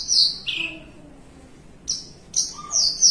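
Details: Relaxed caged Javan bushlark giving 'melung panjang' song: a loud, very high drawn whistle falling into a lower slur, a second of quiet, then three bright, high sustained notes in quick succession.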